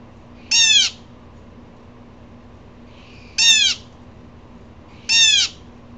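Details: Three loud, grating calls from an agitated blue jay, each a brief harsh downward-sweeping burst, coming roughly one and a half to three seconds apart over a quiet background hum.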